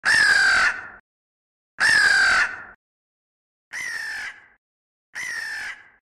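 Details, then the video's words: Two crows calling: four harsh, hoarse caws, each lasting just under a second and spaced about one and a half seconds apart. The first two are loud and close, and the last two are softer, with silence between the calls. "2 Crows Calling"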